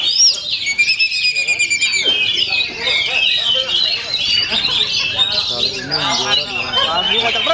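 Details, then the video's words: Oriental magpie-robin in full-power song, opening with rapid stuttering high notes repeated in quick bursts, then flowing into continuous whistled and chattering phrases. "OMEN KACER FULL POWER"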